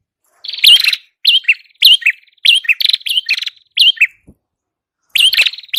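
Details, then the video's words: Prenjak kepala merah, a prinia, singing energetically in a recording used to tutor and lure birds. Bright, piercing chirps come in quick clusters about every half second, then a pause of almost a second before another burst. "Masteran burung prenjak kepala merah Gacor"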